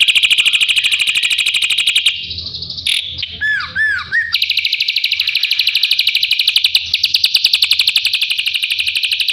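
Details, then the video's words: Training song for a white-rumped shama sung by a drongo: long rapid buzzy trills broken by a short section of looping, downward-slurred whistles, then the fast trill resumes steadily. "Burung srigunting masteran untuk murai batu"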